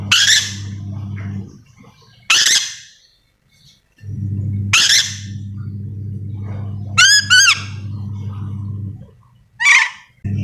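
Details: Endemic Sulawesi yellow-and-green lorikeet calling: a series of raspy screeches, including a quick double wavering shriek and a thinner squeal, over an intermittent low hum.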